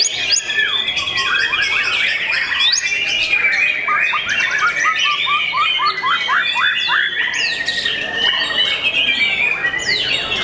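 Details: Young white-rumped shama in a dense bird chorus: a quick series of short descending whistled strokes mid-clip amid continuous squeaky, buzzy chatter from many birds.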